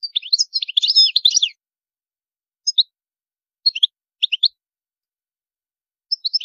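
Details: European goldfinch with high maqamat song: a rich, rapid twittering burst of about one and a half seconds, then scattered short double chirps at intervals.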